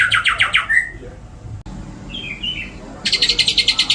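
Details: White-rumped shama song with mimicked material from cililin, jenggot and kapas tembak: a fast buzzy pulsed trill, a short pause with soft whistled notes, then another rapid high trill pulsing about four times a second.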